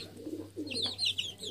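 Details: Hen with her chicks: a quick series of high, thin, downward-sliding chick peeps over the mother hen's low, soft clucking murmurs, heard close up in a small room.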